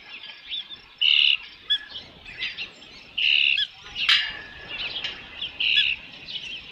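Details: On 3 June 2018, late afternoon, an Osprey at the nest with a fish utters shrill whistled notes about every two seconds, with weaker chirps between them and one brief sharp snap.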